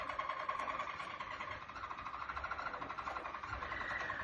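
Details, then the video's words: A Harzer Roller (Harzer Edelroller) song canary sings a soft, low, continuous rolling trill of rapid pulses, purring without pause and shifting slightly higher near the end. "Harzer Roller- Harzer Edelroller Gesangskanarien"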